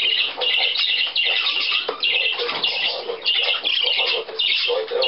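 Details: Hand-tame budgerigars bathing, recorded 7 June 2010, their first bath of the year: dense, continuous high chattering and warbling from several birds, overlapping squawks and chirps with no pauses.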